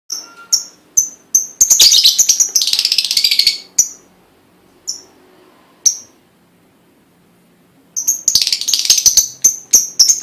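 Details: Lovebird song used to prompt other lovebirds to sing: sharp high chirps repeated several times a second, with two longer bursts of dense, rapid chattering trills.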